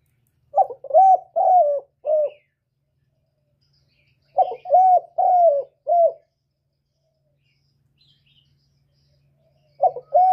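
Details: Spotted dove coo recording used as a trapping lure and to stir up kept birds: two full four-note phrases, short lead note, two longer soft coos and a short ending, then a pause, a faint low hum and the start of a third phrase.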